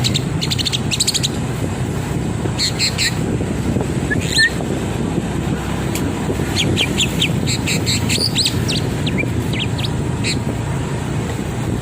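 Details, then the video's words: Tame Javan myna singing while taken on a walk along a road. Short, harsh, broadband chirps come in scattered bursts over steady, heavy traffic rumble. "burung jalak kebo jinak dan gacor"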